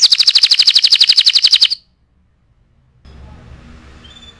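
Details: Canary song used as a tutor recording for training other birds: a fast, even trill of high, pulsed notes lasting under two seconds, then silence and faint background hiss.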